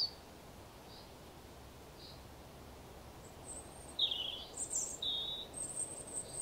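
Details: A robin sings in the morning, short, very high, thin twittering phrases that grow busier over the last few seconds, above a steady soft hiss.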